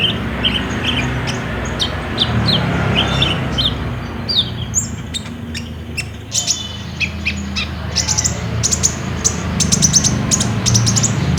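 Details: Olive-backed sunbird singing actively, trotol style, as a lure for a kept sunbird; filmed on a phone. Mid-high whistled notes first, then a dense burst of very high, sharp ticking chirps, over low background hum.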